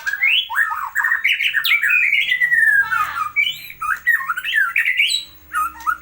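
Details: Masteran song of a white-rumped shama: a dense stream of fluty, swooping whistles and scratchy chatters, with long descending slurs and fast jumbled bursts, loud and unbroken.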